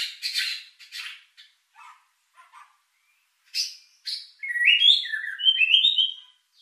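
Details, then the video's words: White-rumped shama lure song with luxurious fill to rouse emotion and breeding urge: scattered short chirps and soft notes with pauses, then a loud run of sweet slurred whistles climbing and dipping. "Pancingan murai batu isian mewah mendongkrak emosi&birahi"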